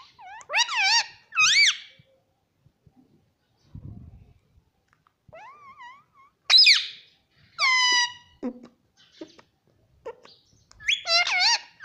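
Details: Pet ring-necked parakeet kept indoors, talking in a high, nasal voice: short rising and falling syllables in bursts separated by pauses, with faint room noise between phrases.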